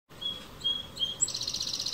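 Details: Cassin's kingbird in a California backyard gives three thin, high, slightly slurred whistles, then a fast, buzzy chattering run of notes, with faint outdoor background noise.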